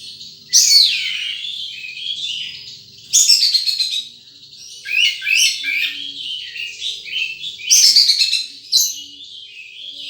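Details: Wild sunbird delivering loud bursts of sharp, high twittering notes every few seconds, linked by rapid descending and rising trilled phrases, all very high-pitched and energetic.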